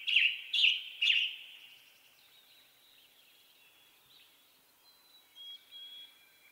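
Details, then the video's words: Western tanager song: three quick, loud, burry phrases in a row, followed by quiet background with faint thin notes from distant birds. "Western Tanager Bird Song"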